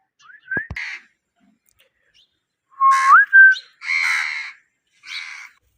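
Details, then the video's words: Parrot giving a short whistled slur and rough note, then after a pause a clear rising whistle within a rasping call, followed by two harsher squawks. "Ye mithu parrot talking cute mithu🦜❤ parrot natural sound"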